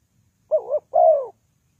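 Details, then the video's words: One cooing phrase from a spotted dove used to lure birds into traps: a brief wavering double note, then a fuller, longer coo that slides gently downward. Nothing else is heard. "The Sound Of Spotted Dove is very good,Bẫy cu gáy bằng mồi trồn"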